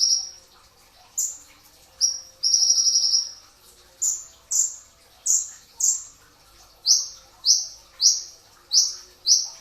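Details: Brown-throated sunbird (kolibri ninja dada coklat) singing in the dense 'tembakan rapat' style at pre-dawn sahur time, a training recording: high, sharp, slurred notes repeated irregularly, with a short buzzy trill near the start.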